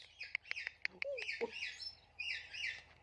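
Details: Talking parrot chirping: a run of short, sharp upper-pitched chirps and clicks with a brief lower whistled slur near the middle and softer chatter toward the end.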